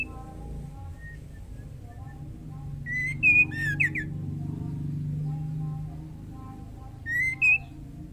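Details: Female white-rumped shama in breeding condition calling to the male: two short bursts of clear whistled notes near two seconds apart, separated by several quiet seconds, over a steady low hum and faint soft tones.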